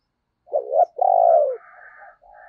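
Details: Spotted dove kept as a decoy to attract wild doves, with a thunder-like voice: a short rising note, then a long loud throaty coo falling slightly, trailing into a soft lower murmur.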